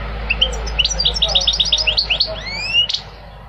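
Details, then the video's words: A fast, even series of bright chirping notes speeds into twittering, then gives way to long rising slurred whistles; goldfinch song over a low steady rumble. "Singing the goldfinch is amazing song"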